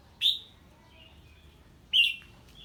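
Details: Red-whiskered bulbul responding to an unfamiliar bird's voice with two loud falling whistles about a second and a half apart, joined by a thin, quiet trailing note.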